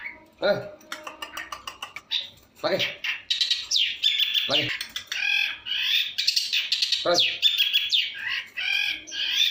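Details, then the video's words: Long-tailed shrike singing energetically in a full, varied repertoire, recorded on a phone: dense, rapid high chirps, trills and sweeping whistled notes run nearly continuously. A few sharp low thuds from handling sound in the first half. "pentet cendet gacoorr suara full variasi"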